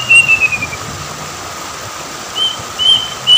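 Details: Plaintive cuckoo at an Indonesian river: the falling end of one whistled series, a pause, then the first clear notes of the next run starting up, with a low steady hum underneath.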